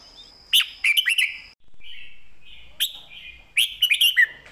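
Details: Red-whiskered bulbul singing a clearly phrased 'master song' style: bright whistled phrases with sharp clicky notes, a sliding warble in the middle and a final burst of rapid chirps; a steady high tone hums through the opening second.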